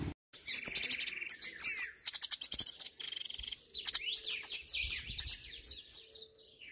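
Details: Hooded siskin (Argentine jilguero) singing a rapid, varied twittering song: buzzy trills, sharp high chips and fast rattling bursts with short pauses between phrases, plus some sweeping whistled slurs toward the end.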